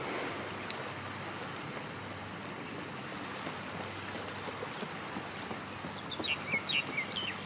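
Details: Pied oystercatchers along the Cairns Esplanade, Australia: a short burst of four or five sharp, high piping notes near the end, over a steady wash of water and distant traffic.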